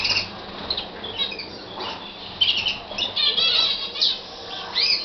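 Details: Libyan canary singing a run of high chirps, short buzzy trills and warbled phrases, the bursts growing steadier and louder toward the end.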